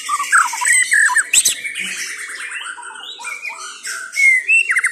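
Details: White-rumped shama of the Chao Singto line singing a varied stream of whistles, trills and rapid buzzy notes, with a short rising whistle and quick chirps at the end.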